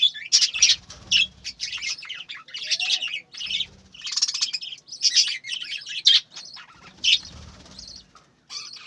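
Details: Chattering budgerigars from a breeding farm, with overlapping scratchy high chirps and squawks in uneven bursts, broken by short pauses and low fluttering thumps, possibly wingbeats.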